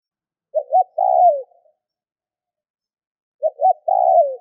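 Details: Spotted dove call for getting other doves to respond, heard twice: a pair of short rising notes followed by a sustained, slightly falling coo, with silence between phrases.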